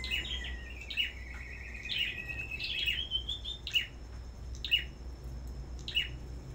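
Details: Caged Black-throated Bushtit at a bird farm in a singing contest: a short run of thin trilled whistles, then crisp high chirps repeated about once a second.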